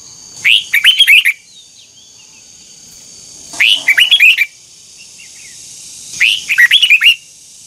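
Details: Old wild-caught red-whiskered bulbul singing twisted double-note training song: three energetic phrases roughly three seconds apart, each a swooping start and a burst of fast, liquid whistled notes, with a faint steady high background tone.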